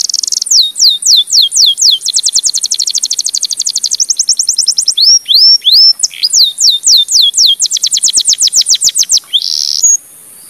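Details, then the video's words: A Timbrado canary sings a loud, high, continuous training song: fast trills and rapid rolls alternate with sweeping downslurred notes, with no other sounds. "CANARY SINGING TRAINING - BEST TIMBRADO CANARY SINGING"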